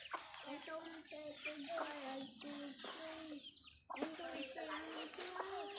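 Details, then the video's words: Backyard hens clucking as they feed, a steady series of short nasal clucks roughly every half second, briefly pausing before resuming, over a hissing background. "Backyard Chickens Feed food fun Relaxing video Sounds Noises hens Clucking"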